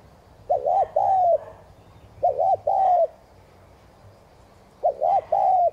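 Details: Spotted dove cooing to stimulate other doves: three phrases about two seconds apart, each opening with a rapid two-beat note and ending in a longer mellow, slightly descending coo, in a quiet setting.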